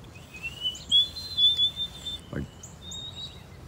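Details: On an early cold morning near a frozen seepage, a white-throated sparrow sings thin, pure "poorly whistled" notes, long and slightly rising, then a level note. Faint high chirps from other birds and a dull thump.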